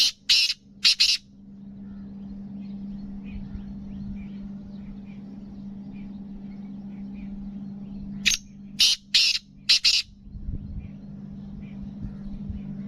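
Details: Black francolin (Kala Teetar), described as a speeder bird of the Gangas Nasal strain, gives harsh, scratchy bursts of three to four short notes near the start and again after eight seconds, over a steady low electrical hum.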